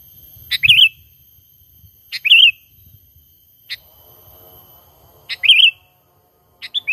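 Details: Trapping lure of a sooty-headed bulbul in its natural call, no added filler sounds: clear, wavy whistled phrases repeated at irregular intervals of one and a half to two seconds, with one lone sharp note, over faint low rustling.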